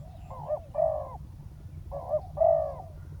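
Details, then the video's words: Spotted dove used as a decoy to call a wild dove down to the ground, cooing two low, husky phrases, each a short note then a longer, drawn-out coo, over a steady low rumble of background noise. "เสียงนกเขาใหญ่ ต่อ นกเขาใหญ่ EP9 นกเขาใหญ่ต่อดิน"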